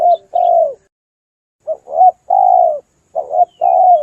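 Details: Hunters' lure call for spotted doves, meant to attract the birds: loud low coos in pairs, a short clipped note then a drawn-out coo that sags in pitch, separated by brief silent gaps.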